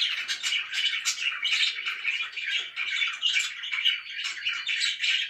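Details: Pet budgerigars chirping very loudly: a dense, continuous chatter of warbled, buzzy and whistled notes that overlap without pause and rise and fall in loudness throughout.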